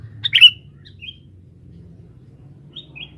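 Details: Male sooty-headed bulbul calling as a forest lure: one loud sharp chirp at the start, then a few faint, short whistled notes trailing off against a soft low background rumble.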